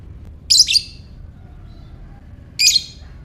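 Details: Lovebird calls intended to set off ngekek: two loud, raspy, high squawks two seconds apart, each a quick double burst trailing off, over a low background hum.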